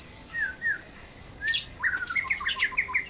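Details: White-rumped shama in a breeding cage at dawn, described as noisy: short clear whistled slurs near the start, then a dense burst of quick chirps and rising whistled notes, with a steady high electrical-like tone throughout.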